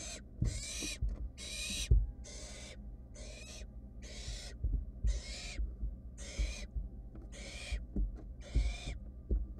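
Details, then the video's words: Long series of about a dozen coarse hissing screeches from wild barn owl nestlings in a research-monitored nest box, searching for a vanished mouse; calls evenly spaced under a second apart, with bumps and scuffles. "Barn owl nestling swallowed it so fast that its siblings keep searching"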